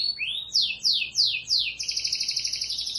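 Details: Local canary (kenari lokal) song with a rising whistle, four loud descending swept notes about a third of a second apart, then a fast, even, buzzy trill.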